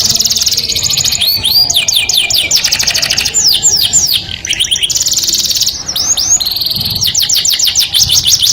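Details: Canary singing to attract the opposite sex: rapid high rolling trills alternate with looping upswept and downswept whistles and buzzy bursts, in nearly continuous phrases with only brief pauses.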